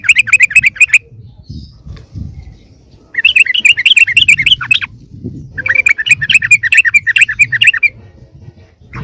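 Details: Sooty-headed bulbul lure call used to attract wild birds: three bursts of quick, slurred chirping notes, fast and chattery, with low muffled rumbling noise between them.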